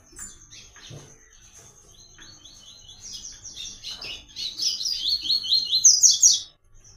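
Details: Double-collared seedeater singing the sought-after "Tui Tui" song pattern, used for song training: rapid series of high, downward-slurred whistled notes that build in loudness over six seconds, with a steady thin high-pitched whine running throughout.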